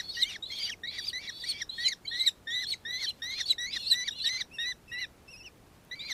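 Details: Nankeen kestrel in Victoria, Australia, recorded 4 December 2024, giving a fast run of sharp, high, curved notes, about two per second, fading into a few softer notes near the end.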